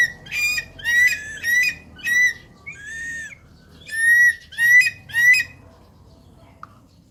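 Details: Javan pond heron, named locally as blekok sawah, giving a series of harsh squawking calls, about eight short grating notes in bursts over five seconds, then quiet with faint background hum.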